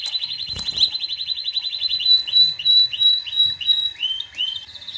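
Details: Canary singing to stimulate mating and to teach young birds: a loud rapid trill of even notes, then a series of upswept whistled phrases repeated about three times a second, with faint low knocks in the background.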